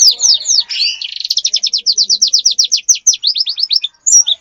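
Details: A wild bird lure: a rapid, evenly spaced series of about thirty sharp downslurred high chirps, speeding into a steady rattle-like run before one last note.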